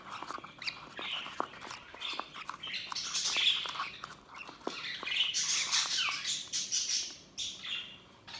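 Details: Budgerigars chirping: dense, overlapping high chattering warbles and squawky notes, with sharp clicks and taps scattered throughout.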